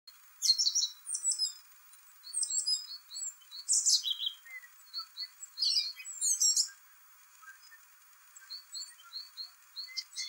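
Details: Song thrush (Turdus philomelos) singing its complicated spring song: varied high whistled and chattering phrases, with a short clear note repeated in quick series of three to five, separated by brief pauses.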